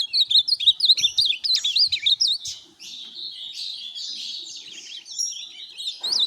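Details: Azulão, or ultramarine grosbeak, kept as a tournament bird, delivering rapid twisting high-pitched warbles with quick up-and-down slurred notes, continuing more softly after a brief pause, with faint knocking underneath.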